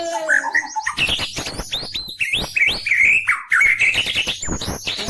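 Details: White-rumped shama singing actively with unusual sounds while bowing repeatedly: a rapid run of clear whistled notes and slurred rising and falling phrases, some buzzy, against loud talking and music in the background.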